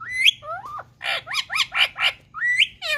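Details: Talking pet green ringneck parakeet in India: a rising squawk, then a lower gliding note and four quick harsh chattered syllables, ending in another upward squawk.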